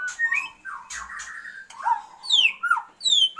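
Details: Female Oriental magpie-robin calling a male to stir his breeding urge, giving long whistled slurs and squawky notes, some rising and others sweeping sharply downward from high pitch, with brief gaps between phrases.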